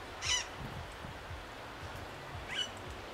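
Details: Austral parakeet at Laguna Parrillar National Reserve, Magallanes, Chile: two harsh, screechy calls, one near the start and one about two seconds later, over a low background rumble.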